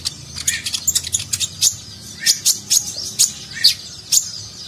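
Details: A sunbird in active, varied song gives sharp, very high chips and short trills in quick, uneven bursts, about two each second, with faint background hiss.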